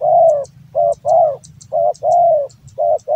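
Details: Male Javan-type spotted dove kept as a hobby bird, singing its big-voiced cooing song again: mellow, low coos in a steady short-long rhythm, each long note slightly falling, a phrase about every second.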